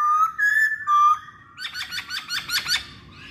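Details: Masked laughingthrush in a pancingan (lure) recording: three pure drawn-out whistles, followed by a fast string of harsh, chattering notes.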